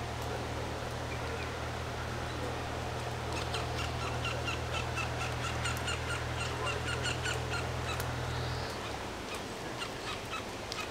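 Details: Eurasian wryneck song heard as a long run of short, harsh, evenly spaced notes, about four per second, beginning after a few seconds of quiet hum-filled background and fading toward the end.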